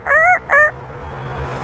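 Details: African grey parrot, a fast-talking bird, prompted to imitate a rooster, gives two harmonic, crowing-style calls, the first longer and the second shorter, with a faint low hum beneath.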